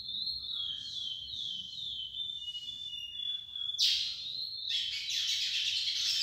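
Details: A young lesser seed finch hears its tutor's song: a run of pure whistled notes that dip and swoop, then a sharp rising sweep and a closing stretch of dense, buzzy, trilled notes.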